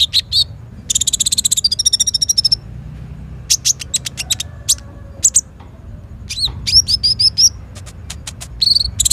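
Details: Sunbird called konin, kolibri ninja, singing actively for training young birds; buzzy trilled rattles open, followed by scattered sharp ticks and a run of thin, high, hooked whistles.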